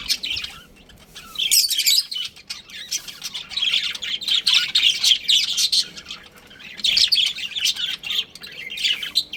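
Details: Budgies from a pet breeding pair chattering in loud high bursts of fast chirps and harsh squawks, pausing briefly between surges.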